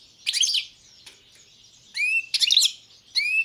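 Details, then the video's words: Goldfinch song from subspecies balcanica: jangling twitter bursts alternate with clear, upward-sweeping whistled notes, in a loose pattern over a few seconds. "Pesma štiglića, češljugara , grdelina, lokera carduelis balcanica"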